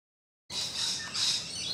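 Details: Rainbow lorikeets on a balcony, two noisy birds with more on the roof: one harsh, rasping screech in two loud bursts, broadband and hissy, following a silent start.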